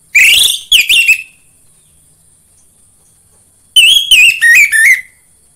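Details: Orange-headed thrush singing, a lure to make captive birds sing: two bursts of varied whistled phrases, the first harsh and rich, the second clearer with falling slurs, separated by nearly three seconds of quiet hiss.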